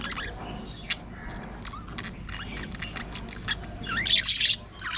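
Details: Caged budgerigars in an aviary colony give scattered short clicks and chirps, then a loud harsh burst of squawking near the end, against a quiet background hiss.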